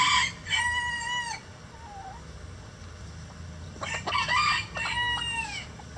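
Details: Egg-laying hens of mixed breeds in their coop give bright harmonic squawks, a short falling call, then a burst of overlapping clucks and cackles, with a steady low hum beneath.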